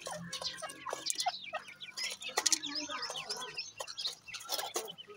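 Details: Grey francolin chicks, young birds kept as a brood, giving many overlapping thin, high chirps and rising-falling peeps. The calls come rapidly and continuously from several chicks at once, with scattered clicks and rustling.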